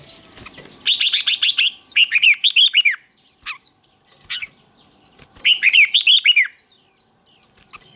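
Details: Red-whiskered bulbul fighting song for contest training: bright, fast runs of clipped whistles and chirps, some rising and falling, in two dense bursts with a quieter gap of soft twitters in the middle.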